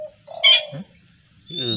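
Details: Young Black-winged kite being hand-fed squirrel meat in East Aceh, giving short high thin whistled squeals with a brighter steady note near the end, alongside lower hoarse tones. The background is quiet.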